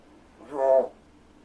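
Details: Single drawn-out, nasal, harmonic note from a rescued indoor large-billed crow doing vocal practice and speech imitation while its keeper pretends to sleep; quiet room otherwise.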